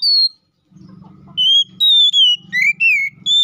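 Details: Ngeplong song of a white-rumped shama (kacer), played to goad another shama into song: rich whistled notes, level and sliding, after a brief pause, over a faint low hum.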